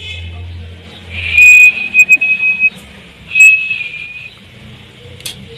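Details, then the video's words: A pet caged rose-ringed (ringneck) parakeet, kept as a talking parrot, gives two clear, steady high whistles, the first held over a second, with a few sharp clicks and a faint low rumble behind. "Talking Parrot"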